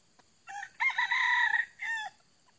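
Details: A red junglefowl crows once during junglefowl trapping with a female decoy: a short opening note, a longer hoarse middle and a clipped final note, all within about two seconds.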